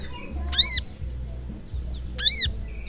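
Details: Sogok ontong, or brown-throated sunbird, singing continuously in 'ngleper' fashion. Twice it gives a strong, grating, downcurved squawk, separated by about one and a half seconds of quiet, against faint low humming.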